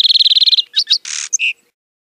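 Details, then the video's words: A fast, steady, buzzy trill from a lark sparrow, followed by a few sharp chirps, a harsh grating buzz and a final clear note. "Lark Sparrow Singing! Lark Sparrow Calling! Sound! - Gorrión Arlequín Canto - Chondestes Grammacus"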